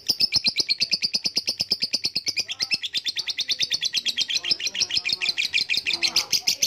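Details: Long ngekek trill by a lovebird, rapid shrill pulses streaming steadily, with a faint softer chirp in the background near the end.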